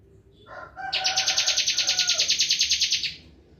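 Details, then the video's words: Bar-winged prinia in 'full bren' song: a few lower whistled lead-in notes, then a fast, regular, buzzy pulsed trill lasting about two seconds before it stops abruptly. "ciblek kristal full bren"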